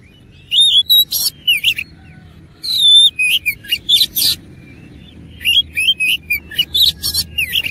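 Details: Oriental magpie-robin in fighting mood, giving a rich, persistent song: loud clusters of sharp whistles, rattling buzzy bursts and quick chirps in phrases about a second long, separated by short pauses, over a faint low hum.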